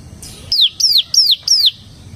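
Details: Bar-winged prinia (ciblek semi) in 'ngebren' style: four clear, down-slurred whistled notes, each falling steeply, spaced about a third of a second apart, after a faint high opening note.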